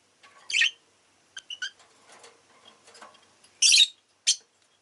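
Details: Rosy-faced lovebird kept indoors gives a loud scratchy chirp, soft twittering notes and low chatter, then a strong rasping squawk and one more sharp chirp.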